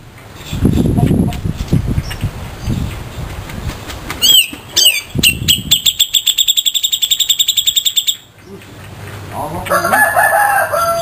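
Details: Grey-cheeked bulbul in rough 'besetan' singing style, local versus Sumatran birds: low rumbling noise first, then a burst of harsh rapid pulsed notes for about four seconds, followed by softer wavering whistles.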